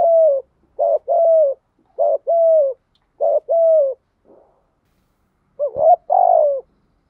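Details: Decoy spotted dove cooing to attract wild doves, a run of rapid paired coos, short then longer and level before falling, ending with a rising note and a long downslurred coo.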